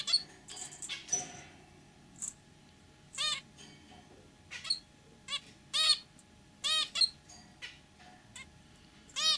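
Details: Pet zebra finch pair, male and white female, trading short nasal beeps at irregular intervals, about a dozen calls, each a brief honk, with a soft buzzy note near the start.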